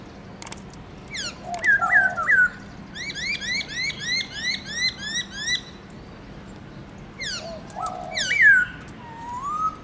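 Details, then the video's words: Caged black-throated laughingthrush in varied morning forest-style song: sharp whistled flicks and warbled notes, then a long steady series of nasal rising upslurs, followed by more bright looping whistles and a closing rising whistle. "Khướu bạc má HÓT GIỌNG RỪNG- LUYẾN NHIỀU ÂM"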